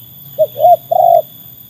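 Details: Trained spotted dove tested against wild doves: three soft, low hooting coos, a short note, a slightly longer one, then a longer steady note, with a faint low hum behind.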